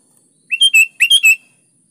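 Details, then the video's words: Sooty-headed bulbul singing vigorously as a lure meant to prompt lazy bulbuls to answer and sing: two quick bubbly phrases of three to four clear, slurred whistled notes, sharp and bright, on a quiet background. "KUTILANG malas Ikut GACOR di PANCING SUARA BURUNG KUTILANG GACOR ini"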